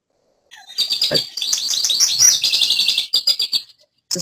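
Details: American goldfinch in winter in Missouri giving a rapid, variable run of high twitters and chirps, about three seconds of quick jumbled notes with brief pauses near the end.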